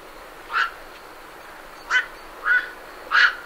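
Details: Night herons departing their roost, recorded at medium close range: four abrupt, rasping croaks, the first on its own and the last three coming closer together, over a low steady hiss.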